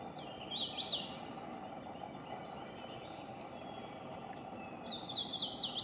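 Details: Hooded warbler (Setophaga citrina) singing in Duke Forest, Durham, NC, about 7:50 AM on 17 April 2021: two loud, clear, slurred whistled phrases ending emphatically, over low rushing background and faint other birds.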